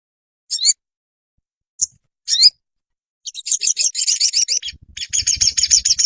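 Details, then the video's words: Crimson sunbird song for training caged birds: three separate sharp, high chirps spaced apart, then an excited burst of rapid twittering notes, with low rumbling noise near the end. "Dalam hitungan menit burung sogonmu ikutan gacor dan ngeleper"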